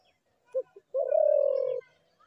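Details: A spotted dove call: two quick short notes, then one sustained low, vibrating coo lasting almost a second, in a quiet setting.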